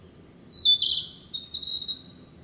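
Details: Woodland Narcissus flycatcher, a summer bird breeding locally, gives one short, high, sweet whistled phrase: a loud, piercing opening note that slides into a softer, thin, wavering tail. The background is calm.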